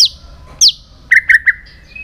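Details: White-rumped shama singing in many voices, a recording meant to stimulate and train other shamas to sing: two high falling whistles, then three short, loud, mid-pitched notes in quick succession and a thin closing tone.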